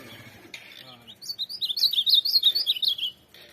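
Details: Azulão, the ultramarine grosbeak of song tournaments, opening with a brief soft note, then a continuous bubbling warble of quick slurred whistles for about two seconds over faint room noise.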